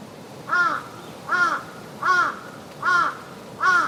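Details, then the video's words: Ravens flying over a park give five harsh, arched caws, one about every 0.8 seconds, against a quiet outdoor background. "ravens flying and cawing"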